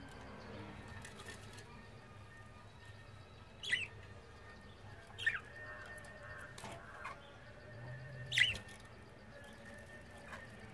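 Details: Budgerigars in their cage, cleaning themselves and flying, give a few short, sharp chirps spaced several seconds apart over a soft background hiss.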